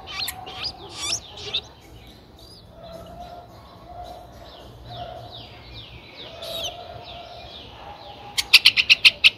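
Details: Nine-day-old streak-eared bulbul nestlings, whose eyes opened at seven days, give thin, high, down-slurred squeaks, repeated rapidly and unevenly, ending in a burst of sharp chirps over a faint hum; Ubon Ratchathani, Thailand, 11 April 2023.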